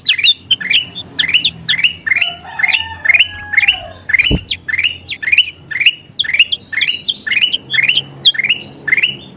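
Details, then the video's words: Kutilang emas bulbul in vigorous song for training caged birds: about two short rising whistled phrases per second, steady throughout, a faint lower whistle midway and one sharp click near the middle. "SUARA KUTILANG EMAS GACOR PALING DICARI"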